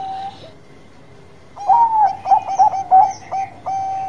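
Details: Zebra dove of the Bangkok type singing: a brief coo, a short quiet gap, then loud, jerky, repeated coo notes and a final sustained tone.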